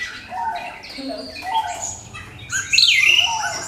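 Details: Orange-headed thrush singing a crystal-clear lure song meant to provoke other birds into singing: a varied run of short whistled and chirping phrases, building into a louder, bright, twisting burst of high notes near the end.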